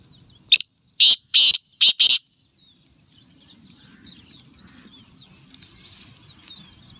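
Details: In the morning, a black francolin (black partridge) gives one loud, harsh, grating phrase of five clipped notes in under two seconds; faint chirps of other small birds follow.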